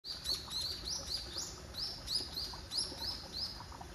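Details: Wild common kingfisher at Zenpukuji Park, Tokyo, on 3 December, recorded by smartphone with a telephoto lens: a rapid string of thin, high, piercing whistled notes, about eleven in four seconds, over steady low background noise.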